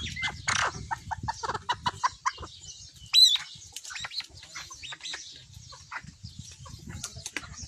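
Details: Partridge chicks giving a quick series of short, sharp notes that are fastest at the start and then turn into scattered chirps, with soft low thumps underneath.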